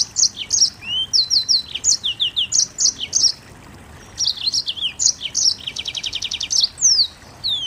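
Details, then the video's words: Mozambique canary singing in a dense, rapid burst: bright high chirps and sweeping down-slurred whistles, a fast buzzy trill near the end, with a brief pause mid-phrase. "Burung Mozambik Nembak Rapat"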